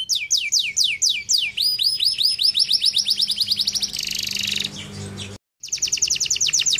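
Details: Canary song for stimulating quiet canaries: swooping whistled notes run into a fast rolling series, a buzzy trill, a brief silence, then another rapid high trill.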